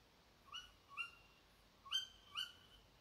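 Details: Tawny owl behind a house before dawn, at 4 a.m., uttering four shrill, upward-sliding calls in two pairs, each note under a quarter second.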